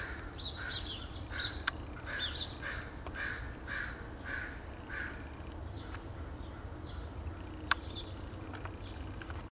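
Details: Front-yard crows in Edmonton, Alberta, Canada, 8/3/2012: a burst of about seven hoarse caws in the first five seconds, then quieter stretches with scattered sharp clicks and taps over a low rumble.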